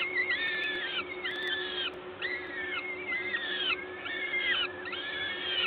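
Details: Peregrine falcons calling at the nest in Gdańsk, Poland, 14 May 2022, 11:07, while a parent feeds: evenly spaced, flat-topped wheezy wails about once a second, voices doubled, with a steady low hum beneath.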